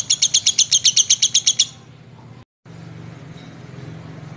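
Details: A brief ngekek from a lovebird: about a dozen fast, high, evenly spaced chattering notes over less than two seconds, followed by quiet low background hum.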